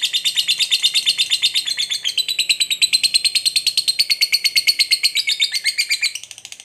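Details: Lovebird fighter's long ngekek trill, used to provoke another lovebird to fight: dense rapid chattering notes for about six seconds, fading weaker at the end.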